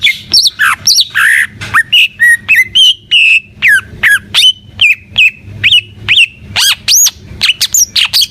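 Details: Greater green leafbird (cucak ijo) in gacor song: varied whistled notes, buzzy trills and clear steady tones, with a few high arching calls near the end, all in quick succession.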